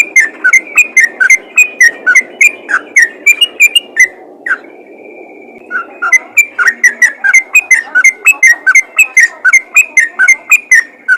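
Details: Yellow-vented bulbul giving its call to other bulbuls: fast runs of short bubbling whistles, broken near four seconds by a brief pause and one long level whistle, then the quick repeated notes resume.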